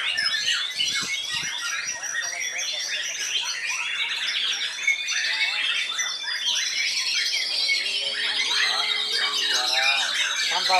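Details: White-rumped shama, a four-year-old bird from Lampung, singing a dense, rich stream of varied whistles, chatters and rapid trills, with other birds' calls layered behind throughout.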